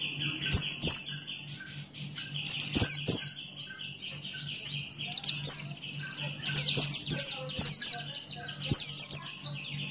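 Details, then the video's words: Buxton's white-eye in lively ngalas song: bursts of high, descending chirps in quick runs, over a sustained thin tone and a low hum. "Burung Pleci Buxtoni Gacor Ngalas Buka Paruh"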